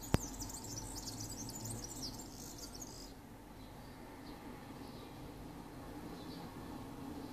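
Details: European serin singing in Ķengarags, Riga, Latvia, on 13 June 2018: a fast, very high, glittering jingle of buzzy twittering notes for about three seconds, then only faint distant chirps over a steady low urban hum.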